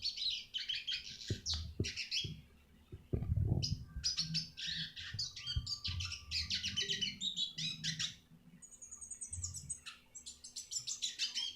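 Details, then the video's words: Red siskin masteran for training other birds: lively twittering song with buzzy runs and, later, a thin repeated high whistle, over scattered low thuds and a steady hum. "masteran burung retsiskin"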